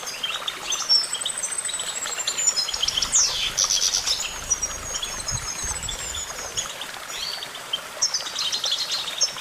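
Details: Goldfinch song: a long stream of thin, high tinkling twitters and fast sliding whistles, with a sharp downward sweep near the middle, over a soft low rumble.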